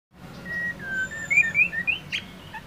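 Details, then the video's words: Female white-rumped shama (murai batu) singing to stir a male into song: a string of clear, slurred whistles, some rising and some falling, in quick succession, growing louder toward the end, with a faint low hum behind. "Murai batu betina gacor untuk pendongrak emosi jantan agar gacor"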